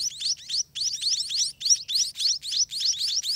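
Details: Hungry spotted munia babies clamour at the nest while parents feed them, a loud, steady stream of high, rising, slightly buzzy chirps, about three or four per second.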